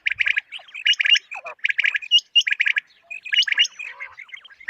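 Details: Common quail calling, a sound used for quail hunting, especially in the morning: quick clusters of two or three clipped notes repeated in fast runs, mixed with higher upslurred chirps from other calling birds.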